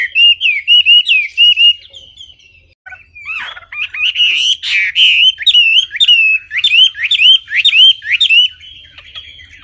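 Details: Wambi giving a clean song: a short run of upslurred whistles, a pause, then a long series of hooked whistled notes repeated about twice a second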